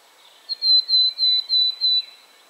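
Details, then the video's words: Willow tit song: a single run of five evenly spaced, pure whistled notes at a level pitch, each drawn-out and gently sliding down, over quiet background. "Willow tit / Czarnogłówka"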